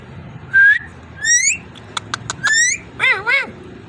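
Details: Pet ringneck parrot alternating clear rising whistles with rough harmonic squawks and a few short clicks, then a pair of wavering, bending squawks; quiet hum underneath.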